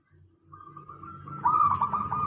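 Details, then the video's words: Local zebra dove song used as a lure to make other doves answer: low rumbling background, then a rolling, trilled coo that swells louder in the second half. "Suara perkutut lokal.dijamin semua perkutut langsung nyaut ramai"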